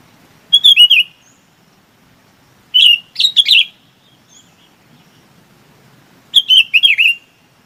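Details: Chinese babax calling the flock with three well-spaced bursts of loud, slurred, harsh notes, each burst of three or four notes falling in pitch, separated by quiet pauses.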